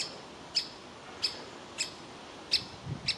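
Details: Young woodpecker sitting in a tree nest hole, begging to be fed while its parents want it to leave; five short, sharp, high call notes at uneven intervals over a quiet background.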